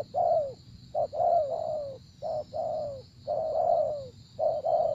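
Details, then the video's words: Spotted dove cooing in phrases of a short note followed by a longer falling coo, repeated about once a second, with a steady high whine and low hum behind. "Cu Gáy"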